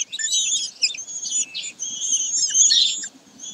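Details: Common kestrels recorded at Sägeweg on 22 May 2023 give a steady run of high, rasping calls with stronger harmonics in the second half, then fade briefly before resuming.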